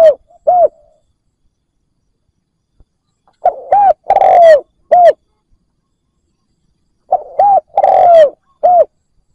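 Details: Spotted dove serving as a lure for wild doves. Phrases of ringing coos come at intervals of about three to four seconds: paired short arched notes, a long falling coo and an ending hooked note, with silence between.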